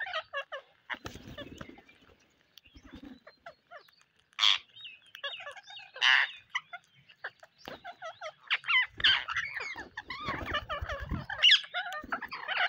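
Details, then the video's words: Parrots calling on a rainy day: a flock trades clipped, nasal squawks and chattering notes, some loud harsh bursts standing out, with short quiet gaps between the busy passages. "A Rainy day with Parrots"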